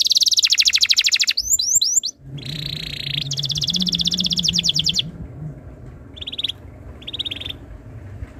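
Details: Canary tutor song meant to start other canaries singing: rolling trills, a short whistled flourish, a long buzzy tour, then two brief trilled bursts after pauses, with a low hum beneath.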